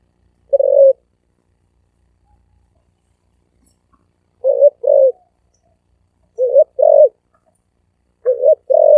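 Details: Spotted dove cooing: short low hooting coos in pairs, each pair separated by about two seconds of silence.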